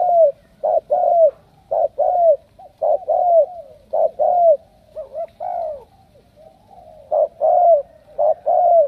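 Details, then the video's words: Cooing Spotted dove from Cà Mau, Vietnam, a picked strong cooer: clear low coos in short-long pairs, each long note gently falling, repeated about once a second with one brief pause midway. "Tuyển đồng siêu gù"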